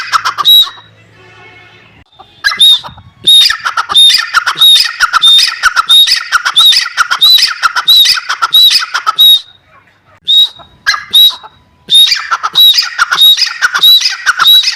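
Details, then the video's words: A grey francolin (teetar) calls loudly in shrill, harsh, rapidly repeated phrases with a squeaky whistled edge, delivered in bursts with short pauses between them. "Dakhni Teetar: Voice of teetar"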